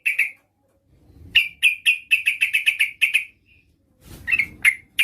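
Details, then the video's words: Female trucukan (yellow-vented bulbul) calling for a male: a quick run of short, bright, clipped notes at a steady pitch, with brief pauses and a few separate notes near the end. "Suara burung trucuk gacor memanggil lawan pancingan trucukan betina memanggil jantan agar bunyi"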